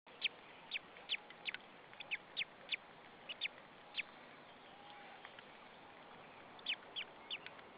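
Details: White-tailed eagle chick on its nest in Saunja, Estonia, filmed 26 April 2013 at 14:37, chirping before being fed: about fifteen thin, high, downslurred peeps in quick succession, some in pairs, with a faint steady background hiss.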